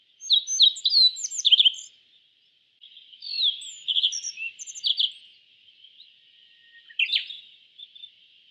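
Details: Yellow bunting, an East Asian songbird, singing loud bursts of rapid high chirps, a pause, a longer twittering run, then a final short phrase, with a steady high hiss behind.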